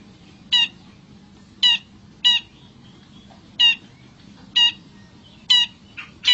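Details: Wild Long-tailed shrike in lively, vocal form: harsh, raspy, grating notes given one at a time about once every second, seven bursts in all, each short and buzzy, over a faint steady low hum.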